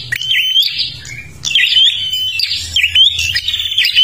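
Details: Kalimantan prinia singing nonstop, used as a lure for other birds: bright buzzy trilled phrases with a clear rising whistled note, repeated about every second with short pauses, plus a faint low hum beneath.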